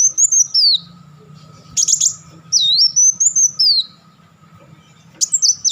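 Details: Kolibri Wulung sunbird in crecetan, machine-gun chattering bursts prized for tutoring contest birds: short high sweeping twitters, then a sharp dense burst, a longer wavering chatter around the middle, and a final burst at the end.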